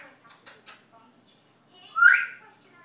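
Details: Pet parrot learning to talk Dutch indoors: quiet speech-like murmurs, then one loud harsh rising-and-falling utterance.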